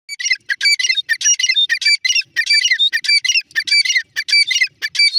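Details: Female grey francolin giving loud, harsh, rasping notes in rapid bursts, roughly ninety-eight per minute, uneven in spacing, with a clean silent background.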